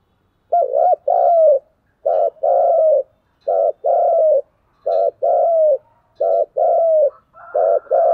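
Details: Spotted dove urging rivals with its cu gù đấu fighting coo: a steady run of six short-then-long coo pairs, the second note longer and gently falling, loud and regular.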